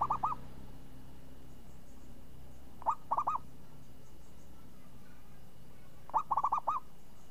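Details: Zebra dove, named a champion for its crisp, swinging voice, repeats short phrases of rapid soft coos. A phrase comes roughly every three seconds, each of three to five notes.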